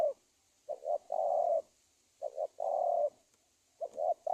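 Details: Trapping lure of a spotted dove: low, mellow phrases of two short hoots leading into a long sustained coo, repeated roughly every one and a half seconds with light background hiss.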